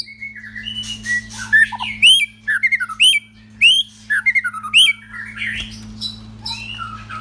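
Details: Captive male white-rumped shama kept at home sings a lively, varied song: loud upward-sweeping whistles repeated roughly every second, mixed with chattering and warbled notes, then softer trailing phrases, over a faint low hum.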